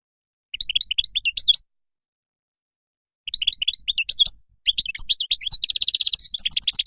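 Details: Moroccan goldfinch song in three bursts of fast twittering notes, separated by a pause of nearly two seconds. The last burst ends in a quick buzzy trill and further tinkling phrases.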